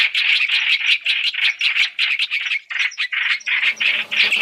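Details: Chinese hwamei lure for trapping, mixing three recordings: clipped, scratchy notes repeated about three times a second in uneven bursts, with a short pause partway through.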